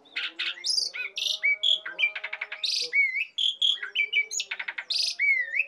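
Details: Asian pied starling singing vigorously, a recording meant for prompting and tutoring songbirds, with a background of many birds: dense run of whistled notes, rapid rattling trills and buzzy chatter, with a steady low tonal hum underneath.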